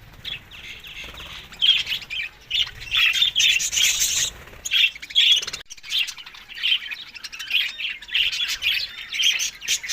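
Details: Budgerigars at summer feeding in Larkana, Sindh, May to June: rapid bursts of bright chirps and squawky warbles, broken by short pauses, with a sudden gap near the middle before the chattering resumes.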